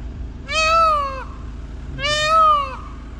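A peafowl gives two loud, nasal, wailing calls about a second and a half apart. Each holds steady, then sags at the end, over a faint background hum.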